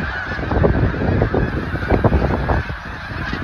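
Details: Snow geese on migration in Delaware, USA: a large flock giving dense, overlapping nasal honks and yelps that run without a break, with loud bursts roughly every half second over a low rumble.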